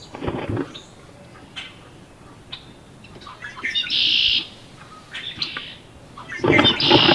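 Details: Wood duck incubating in a nest box in late May. Two loud, hoarse, rasping calls, each about half a second, come with bursts of rustling and soft clicks.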